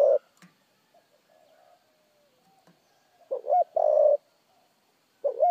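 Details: Spotted dove cooing in a fast style: one full low phrase of a wavering note and a drawn-out coo, then the start of another phrase, after a quiet gap with faint background sounds.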